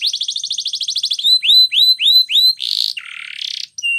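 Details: Spanish Timbrado canary training song: a rapid chattering trill, then four slow rising whistled notes, followed by buzzy bursts and a short flat whistle.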